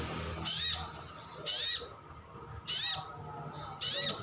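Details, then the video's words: Brown-throated sunbird of the 'ngalas' type calling to draw replies from other birds; four sharp, high-pitched chirps about a second apart, each brief and slightly upswept. "Suara panggilan sogon/sogok otong/sriganti pasti nyaut."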